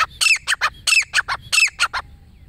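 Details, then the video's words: A lone wild female grey francolin, called the desi teetar, gives its call, used to lure birds when hunting. Loud harsh squawking notes come in three quick clustered bursts within two seconds, close and clear. "اکیلے جنگلی دیسی تیتر کی بولی"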